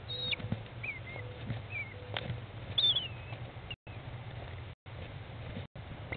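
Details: American kestrel mother and 15-day-old chicks at feeding time in a nest box, 20 May 2011, 13:54; a few high drawn-out whines and short chirps, with knocks and shuffling between them.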